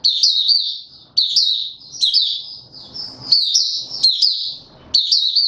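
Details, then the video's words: White-eye (mata puteh) male in open song on 31 December 2021, trained toward form: bright, high-pitched warbled phrases of quick rising-and-falling chirps, nearly continuous with short breaks, faint background rustle. "Mata Puteh - Raja V2 Pushing him on form buka sing"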